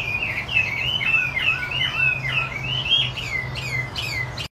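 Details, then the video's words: Singing gacor, a wambi putih Chinese hwamei pours out rolling whistled phrases with downward slurs and brief higher chirps near the end, before an abrupt stop; low hum underneath. "Hwamie Wambi Putih Gacor"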